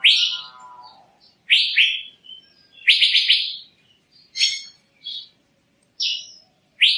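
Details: Irregular phrases of loud swept chirps from an Asian fairy-bluebird, some doubled or tripled, separated by short silences.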